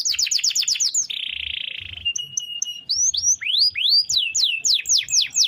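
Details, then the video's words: Canary in a long roll song for training other birds: quick falling notes, a one-second buzzy trill, thin pure whistles, then a series of loud upward-sweeping whistles with faint low thumps. "Suara Kenari Gacor Ngerol Panjang – Cocok Buat Masteran Harian!"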